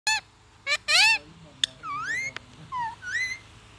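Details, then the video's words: A Kashmiri ringneck talking parrot gives a run of nasal, squawky syllables, some gliding up and others dropping in pitch, in about six quick bursts. "Ringneck Indian Talking Parrot | Kashmiri Ringneck Parrot"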